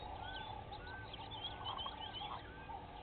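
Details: Five water thick-knees gathered at Vuyatela Pan, Djuma Game Reserve, Sabi Sand, South Africa, at 06:34 on 04/05/19, give overlapping thin, plaintive whistles that slide up and down, calling repeatedly over a steady low background hum.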